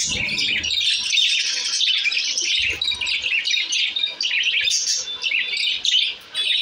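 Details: Caged budgerigars settling happily into a new cage keep up a steady, dense stream of high chirping and scratchy chatter, with a few soft low thumps at the start and again midway.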